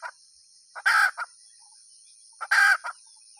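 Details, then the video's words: Two loud, raspy hen squawks about 1.5 seconds apart, each framed by a short lead-in note and a clipped tail note, with a faint continuous high whine behind them. "suab poj qaib tsauj dib tuaj zoo heev"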